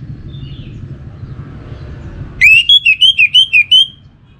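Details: Lure-style pancingan song from an orange-headed thrush, eight loud, ringing whistled notes with a slight rise and fall, rapidly repeated after a low background hum.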